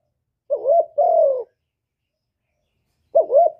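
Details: Spotted dove, kept by a bird keeper, recorded directly without background noise to stimulate other doves: paired low cooing phrases, a short wavering coo then a longer falling one, repeated after a pause of over a second.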